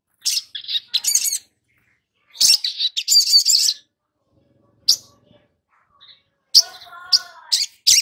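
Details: Lure recording of long-billed spiderhunter song for training young caged birds to sing. Scattered clusters of sharp, high, buzzy chips are separated by short pauses, ending with a lower quavering warble.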